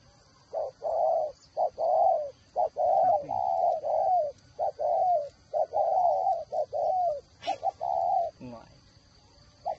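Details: Decoy spotted dove with a whistle voice, Ba Vì district near Hanoi, Vietnam, cooing steadily in soft hollow notes. Short clipped coos and longer slurred ones run almost without pause, and a brief click is heard near the end.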